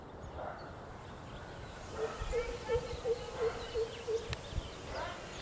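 A hoopoe gives a run of seven soft, hollow, low 'oop' notes, evenly spaced about three per second, over a low rumbling background.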